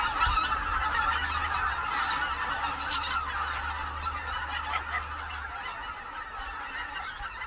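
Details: Greater white-fronted geese in a large wintering flock on the Cheorwon plain, a continuous overlapping chorus of high, yelping honks with a low rumbling hum underneath.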